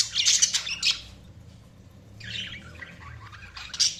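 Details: Budgerigars chirping: bursts of bright, scratchy high chatter at the start and again near the end, with a quieter warbling stretch between and faint low background hum.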